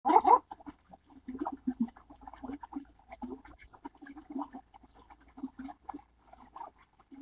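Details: Baikal teal, a duck breeding in northeast Asia and wintering in Japan, Korea, India and China, rarely Taiwan: one loud nasal note, then a run of deep, low, irregular clucking notes, several per second, as from a group of ducks.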